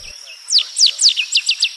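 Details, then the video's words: Rusty sparrow song: a series of sharp, high, steeply down-slurred notes, three longer slurs followed by a quicker run of four shorter ones, over a steady high insect hum. "O canto do Tico Tico avermelhado ( Aimophila rufescens )"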